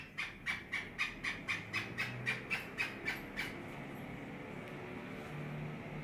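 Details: Black francolin, a bird offered for sale in Karachi in 2021, gives about a dozen harsh, clipped notes in a quick, even run, roughly four a second, then stops, leaving a low background hum.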